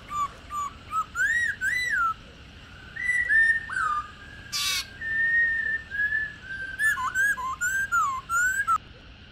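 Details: Mature wild-caught female Black-throated laughingthrush calling to stimulate male song: varied fluting whistles, rising and falling slurs, with a brief broadband noise burst midway and clipped high chirps later.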